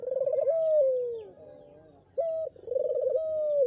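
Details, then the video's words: Repeated coos of a Barbary dove, meant to coax a silent pet dove into calling. Each phrase is a throbbing trill followed by a long descending note, and a short flat tone opens the next phrase. "jika burung putermu tidak bunyi, PANCING PAKAI INI!!!"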